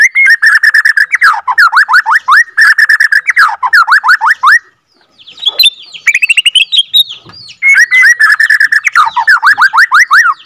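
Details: Captive-bred (F2) Bornean White-rumped Shama, used as a lure to rouse other shamas, sings long, loud rolling phrases of rapid repeated down-slurred whistles, broken by a short pause and a burst of varied higher notes.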